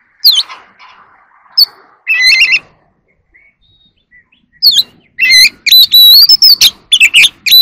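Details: Oriental magpie-robin in a singing contest: scattered chirps and a buzzy burst early, then a quick run of loud whistled notes and trills toward the end.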